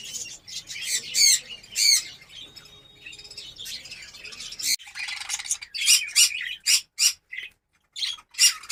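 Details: Budgerigars in a breeding colony in Darbhanga, Bihar, at breeding start, give loud, harsh, high squawks in separate bursts, some in quick pairs, over softer background twittering, ending in clipped rapid calls.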